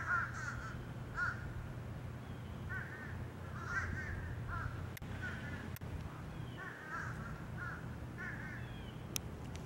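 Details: Crows calling in Savannah, Georgia: rough, nasal caws repeated in loose bursts every second or two, with a constant low droning background and a few sharp clicks.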